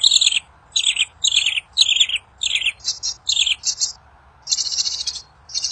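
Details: In the wild, a kincir angin bird gives song said to make other birds respond quickly: repeated high chirpy phrases roughly every half second, then longer buzzy trills.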